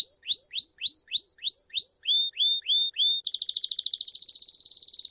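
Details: Belgian canary giving 'campainha' (bell) song, offered for teaching young birds: about ten clear, rising-then-falling whistled notes at a steady pace, then a sudden switch to a rapid, buzzy high trill.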